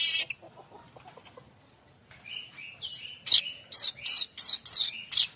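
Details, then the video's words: Streaked weaver (manyar kembang) singing as a training model for white-rumped shamas and other songbirds: a harsh opening burst, soft ticks, short whistled slurs, then rapid loud chattering notes about three per second. "Kicau manyar variasi mantab"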